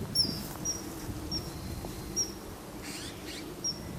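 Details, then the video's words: Sharp, high, piercing whistles from a perched male common kingfisher, filmed 14 March 2012. Single short notes come about every half second to second. He is apparently calling a female, with quiet outdoor hiss behind. "カワセミ 雄／雌を呼ぶ？"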